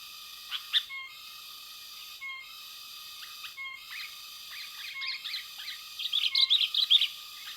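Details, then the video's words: Sooty-headed bulbul heard during bird luring for capture in West Lampung, Indonesia: short, bright chirps come in scattered bursts and grow busier toward the end, over steady whistled tones that break and restart every second or so. "Mikat kutilang pikat kutilang"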